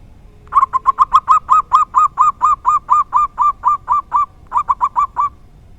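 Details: Zebra dove, local type, in the rare "dor tak kowor kowor" song: rapid stuttering notes building into a steady line of about fifteen mellow coos, a short break, then another quick cluster.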